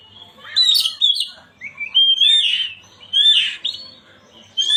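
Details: Oriental magpie-robin singing, a recording meant to stir a silent caged bird into song: loud varied whistled phrases sliding up and down, rich warbled notes and quick chirps in bursts with short pauses, mostly high-pitched, clean background.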